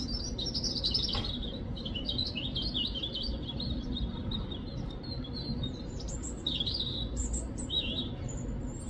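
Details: Robin chirping almost continuously: high, quick twittering notes, with a few sharper downward chirps later on, heard against a steady low rumble.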